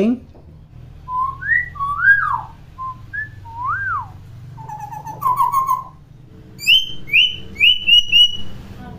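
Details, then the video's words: Chatty common hill myna, meant as a tutor recording for young mynas not yet vocalising: a series of clear whistled notes, some sliding up and down, then sharp repeated whistles in quick succession, with faint low background hum. "KING BURUNG BEO GACOR CEREWET"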